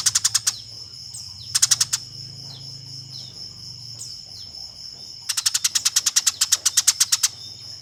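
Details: Fighting calls of Eurasian tree sparrow, a master recording for tutoring contest birds; short clusters of fast, piercing chirps, then a longer rapid run, separated by quiet gaps with faint distant notes and low hum.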